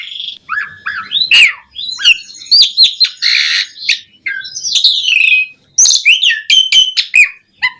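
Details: Asian pied starling song as training audio for starlings: a busy mix of whistled slurs, harsh rasping squawks and quick chatters in short bursts, nearly continuous throughout.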